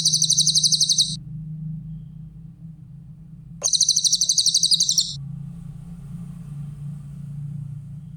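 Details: Clear-voiced grey-headed canary-flycatcher, recorded as a training master for other songbirds, gives two high, rapid trills of evenly spaced piping notes, each about one to one and a half seconds long, separated by a pause filled with a low constant hum.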